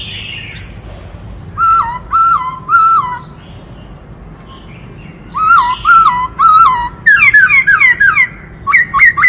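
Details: A black-throated laughingthrush sings a many-voiced song. Three evenly spaced flat whistles are followed by a pause, then more whistles and a fast series of downslurred chirps, with a short upslurred pair at the end.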